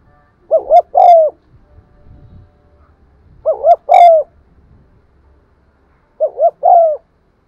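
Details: Spotted dove coo and urging call used for luring birds: three identical phrases, each two short rising hoots and a longer held note, spaced about three seconds apart over a low background rumble.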